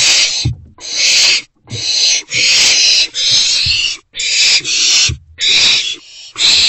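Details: Nest box holding three wild owlets, 13 April 2024, morning; a steady series of raspy hissing screeches, each about half a second to a second long, separated by short pauses and soft thuds.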